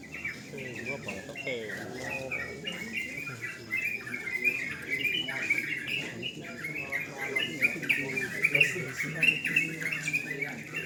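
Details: Night singing contest of sooty-headed bulbuls: busy, bubbling chorus of quick chirps and short whistled phrases running without pause, with speech in the background.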